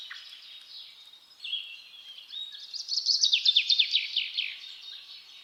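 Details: Rose-ringed parakeet chicks begging while being fed by the male, giving a harsh buzzy rasping note that breaks into rapid pulsed chattering bursts, growing louder toward the middle.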